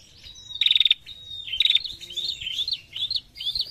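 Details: Two strong buzzy rattles from an actively calling female prinia in narung style, followed by a run of bouncy, slurred high chirping phrases.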